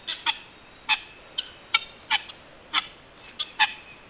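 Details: Guineafowl uttering sharp, metallic single notes spaced roughly half a second to a second apart, each short and harsh, over a quiet background.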